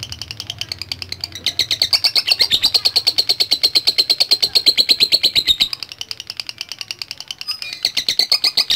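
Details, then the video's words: Lovebird giving a long continuous 'ngekek' trill: a rapid, steady train of high, buzzy chattering pulses that swells in the middle, dips briefly near the end, then resumes strongly. "Love Bird Langsung Ngekek | Latah Dan Ngekek Panjang"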